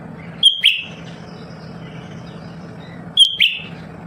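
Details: Lesser green leafbird, known for singing all the time, gives two crisp high whistles about three seconds apart, each followed by a quick lower downslurred chip, over a steady low hum.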